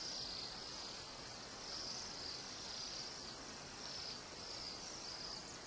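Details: Bohemian waxwings singing in a flock heavy enough to weigh down branches, East Kootenays, British Columbia; faint, high thin buzzy trills come in short bursts about every second over a steady hiss.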